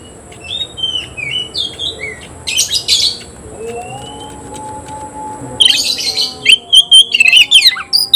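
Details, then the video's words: Oriental magpie-robin singing in a contest against a rival; soft distant whistles and twitters at first, then a loud rush of rapid harsh chirps and squeaky notes repeated quickly to the end. "kacer gacor ngobra KONSLET nembak lawan tarung"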